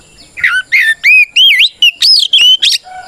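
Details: Oriental magpie-robin (kacer) in full fighting song, used to provoke rival birds into answering; loud whistled phrases with curling, rising and falling notes, rapid and varied, some buzzy harsh elements.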